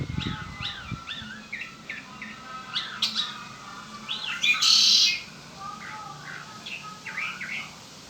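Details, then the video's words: Red-winged blackbird kept as a pet, singing a series of quick slurred chirps and upswept notes that build into one intense buzzy trill midway, followed by more scattered chirps; a low thump opens the recording. "Hermoso y exótico canto del Mirlo ala roja ó Red winged black bird."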